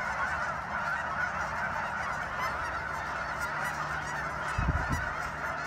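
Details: Many geese calling together at Sunset Lake in Guymon, Oklahoma, their honks merged into a constant dense chorus; a few low thumps break in near the end.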